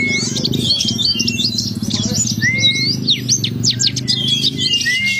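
A white-eye's rapid, high twittering song of thin chirps and quick rising whistles, running continuously over a steady low drone.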